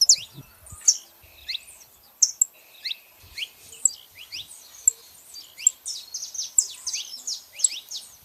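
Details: Female and male saffron finch calling together: a busy stream of short, sharp, high chirps and downward-slurred tweets, some overlapping, with a few longer flat whistled notes, quickening toward the end.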